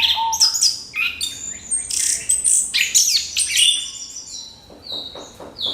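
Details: Lure song of an orange-headed thrush, sung to spur other birds into song: dense, high-pitched chirps and bright squeaky notes in quick bursts, some rising sharply, tumbling together without pause.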